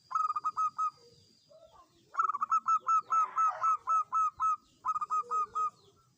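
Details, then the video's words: Local zebra dove (perkutut), a lure-call bird used to prompt other birds to sing: bursts of quick, clipped cooing notes, about two per second, in three runs with short pauses, with a faint steady high tone early on. "Perkutut Lokal Gacor Mudah Untuk Pancingan Agar Cepat Bunyi"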